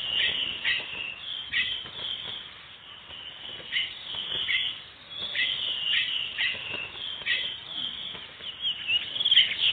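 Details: Chestnut-bellied seed finch singing in the wild in preseiro style, a run of quick whistled notes repeated steadily with short gaps, each note sliding slightly, sounding thin and muffled.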